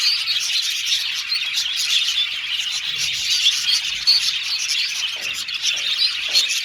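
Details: Caged colony of budgies singing, bright high chirps and warbled twitters layered over a continuous scratchy chorus.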